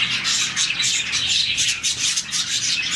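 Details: A colony of about 40 budgerigars chirps in the morning, a sign of contentment; the short burst is packed with shrill, chattering chirps and a few squawk-like notes, rising and falling in loudness.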